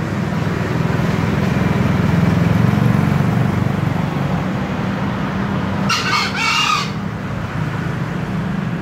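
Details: Steady low droning background, then a green junglefowl lets out a brief rasping two-part crow near the end, lasting about a second.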